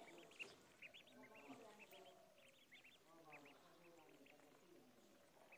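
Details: Ducklings in a pond give rapid, high, arched peeps, many overlapping, with lower, fuller harmonic calls running underneath throughout.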